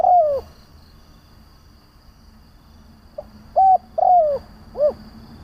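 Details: Decoy spotted dove cooing to entice wild doves: a falling coo, then a quiet gap before a new phrase of a brief pip, a flat coo, a long downward coo and a rounded final note.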